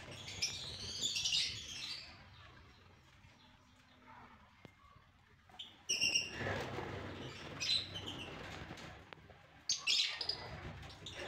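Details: Albino red-eyed lovebirds in Gujrat give shrill, high chattering bursts of squeaks at about one, six, eight and ten seconds, with quieter broadband rustling between.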